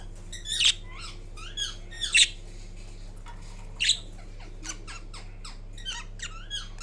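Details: Sleepy pet Indian ringneck parrot in green plumage uttering faint high squeaks in clusters, a few louder chirps early on, then a trailing series of soft rapid notes.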